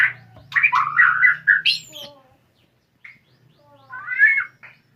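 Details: White-rumped shama starting on its fighter song, giving a loud rough warbled phrase with a downward sweep, a short note, then a rising scratchy flourish, low hum beneath.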